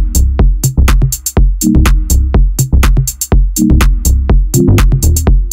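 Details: Loud electronic dance music with punchy repeated drum-machine beats and a deep bass line fills the whole recording, with no animal sounds.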